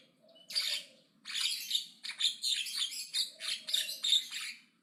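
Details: Javan myna chattering aggressively and loudly, near-continuous harsh buzzy notes mixed with short whistles.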